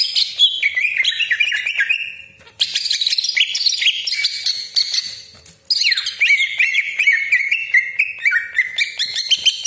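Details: Greater green leafbird (cucak ijo) in a dense, nonstop song meant to make other leafbirds sing; cascading whistled phrases fall in steps, mixed with harsh rasping chatter and a brief gap midway.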